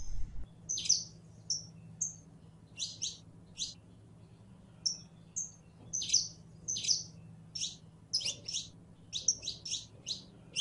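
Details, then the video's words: Female canary in heat calling for a male to mate, giving quick, sharp double chirps, about eighty a minute at an uneven pace, with a low electrical hum underneath. "HEMBRA EN CELO LLAMANDO A MACHO CANARIO PARA APAREARSE"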